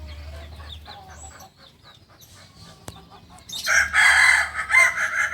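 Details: Kukuak balenggek singing rooster from Solok, West Sumatra. A low steady hum and soft background calls fill the opening, then a loud, pulsing crow starts past three and a half seconds, swelling and dipping in several throbbing waves.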